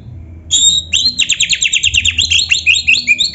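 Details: Oriental magpie-robin training song: a rising whistle leads into a rapid, rhythmic string of repeated two-part chirps, about six per second, over a low background hum.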